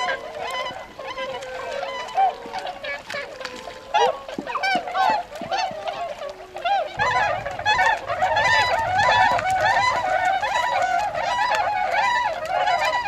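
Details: A wintering flock of Tundra swans in Azumino, Nagano, Japan, 22 February 2013, flying out to feed in rice paddies; honking builds from scattered calls to a loud, dense chorus of repeated nasal notes, with a low hum in the second half.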